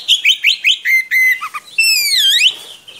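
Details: Oriental magpie-robin song used to train young birds: five rapid rising whistled notes, a couple of short low notes, then a long sweeping whistle that dips and climbs again.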